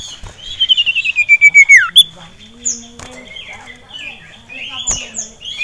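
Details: One fast descending trill of rapid pulses ending in a downward flick, from an agitated caged male sirtu facing a rival and a female, followed by scattered high chirps.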